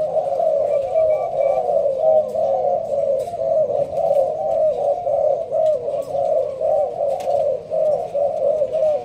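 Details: Caged Malaysian-strain spotted dove in a leaf-covered cage, giving the urging coo in the sparse song style kept by hobbyists: low, hollow coos at a steady mid-low pitch, repeated almost without pause, with faint clicks and room noise.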